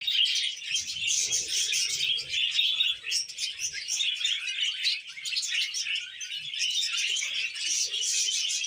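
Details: Pet budgerigars kept for taming chirp continuously in a dense, high, scratchy warbling chatter of overlapping tweets and trills, with faint low knocks and rustles in the background.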